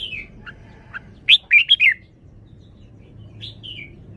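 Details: Red-whiskered bulbul kept in a cage, showing its song phrasing. A few soft scattered notes lead into a loud, quick run of four bright slurred whistles, then two fainter downslurred notes near the end.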